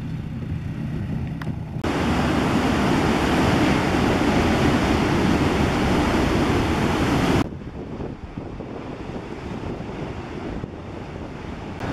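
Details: Broadband roar of surf and wind, loudest in the middle stretch, with no animal voices heard.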